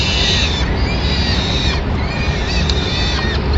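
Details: Peregrine falcons in Madrid, 25 April 2016, as the female arrives with a pigeon to feed the chicks while the male watches, give thin, high, wheezy drawn-out calls, repeated several times, over a steady low rumble of wind or traffic.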